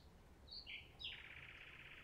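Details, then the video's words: Short phrase of common nightingale song, with two quick sliding notes followed by a fast, buzzy trill that trails off. "Nightingales Reign"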